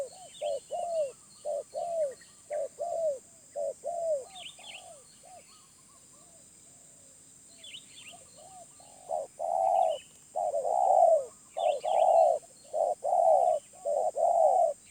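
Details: A wild spotted dove coos in a medium-pitched voice. A run of softer paired notes is followed by a quiet stretch, then louder, fuller coos in short and long pairs. Other birds chirp intermittently.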